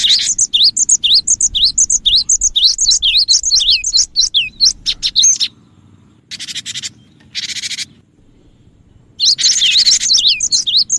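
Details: Cinereous tit (gelatik batu) in full voice, a lure recording for attracting birds: dense runs of high, sharp up-and-down whistled notes, short harsh buzzy churrs in the middle, then a fresh burst of quick chirping.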